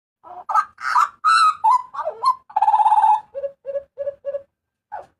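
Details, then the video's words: Loud Papuan butcherbird cries, used as tutor and lure recordings: mixed harsh and whistled notes, a sustained buzzy rattle around three seconds, then five short, low, evenly spaced clipped notes. "TERIAKAN MAUT BURUNG JAGAL PAPUA UNTUK MASTERAN DAN PANCINGAN"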